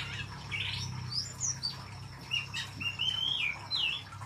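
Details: Oriental magpie-robin (kacer) singing energetically in the gacor style. Varied clear whistled phrases, some rising and some falling, come in short bursts with brief pauses, over a steady low hum.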